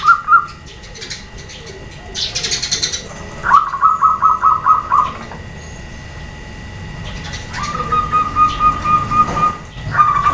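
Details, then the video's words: Female zebra dove calling to stir males into replying: repeated runs of quick pulsed mid-pitched notes, with a brief higher chatter and scattered chirps from other birds between runs. "SUARA PERKUTUT BETINA, BIKIN PEJANTAN DAN OMBYOKAN SALING SAUT"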